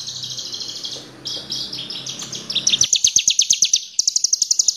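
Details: Horsfield's bush lark singing, used as a lure to set other birds singing: varied high chirps run into rapid, evenly repeated sharp notes, nearly three per second, ending in a fast clipped trill; low background hum early on.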